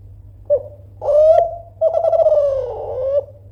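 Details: Kelantan spotted dove, a loud persistent caller meant to make rivals answer: a clipped opening note, a rising coo, then a long pulsing, throbbing trilled phrase drifting gently downward, with steady low hum behind.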